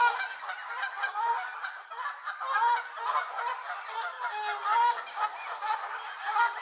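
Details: Angry Canada geese at Elvaston Castle, recorded 3-10-15. A continuous chorus of loud nasal honks from many birds overlaps with no break, and shorter barks and rising notes are mixed through it.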